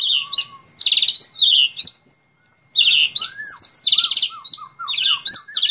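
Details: White-rumped shama in contest preparation giving very high, dense chattering and mimicked-sounding notes in fast bursts, a brief pause, then lower downslurred whistles mixed with more high chatter.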